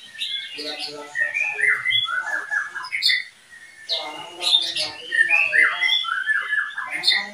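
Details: Breeding pair of oriental magpie-robins, the owner's second pair, giving harsh, squawking notes mixed with short whistled phrases and chattering bursts that repeat in clusters, with brief pauses between them.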